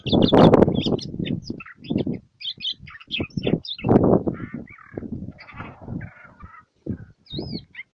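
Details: A goldfinch hybrid, described as dancing, sings quick, high twittering chirps and short warbled phrases, broken up by loud low thumps and rustling close by.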